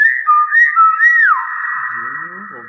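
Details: Common hill myna: a few clear whistled notes, some rising and falling, then one long steady whistle, with a faint low voice at the end.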